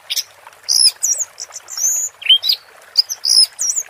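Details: Orange-headed thrush in teler song, delivering quick, bright whistled slurs and upswept notes in short bursts separated by brief pauses.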